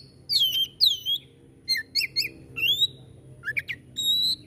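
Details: Oriental magpie-robin, called kacer, singing 'tembakan' phrases: a few loud slurred whistles falling then rising, separated by brief silences, ending on a sustained steady whistle over low background hum.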